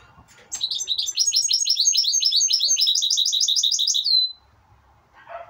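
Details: Goldfinch x canary mule hybrid singing a fast, bright run of repeated trilled notes. The phrases change several times before ending on a drawn-out thin whistle, followed by a short soft rustle.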